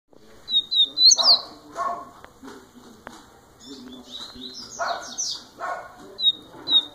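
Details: Young double-collared seedeater in its first year singing: bright, high whistled phrases with quick rising and falling slurs and short trills, broken by brief pauses, with dull knocking thumps in the background.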